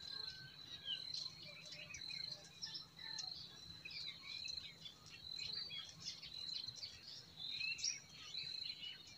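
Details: Forest birds singing in spring, a busy chorus of short chirps and twittering notes layered over a steady high insect-like tone, with soft stream ambience underneath.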